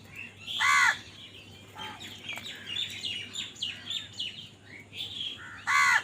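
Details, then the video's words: Two loud, coarse caws open and close the stretch as crows fight for food, separated by a rapid run of sharp chirps from small birds. "কাকের ডাক Crow Sound Crow ki Awaz Loudly | Crow bird Fight for Food"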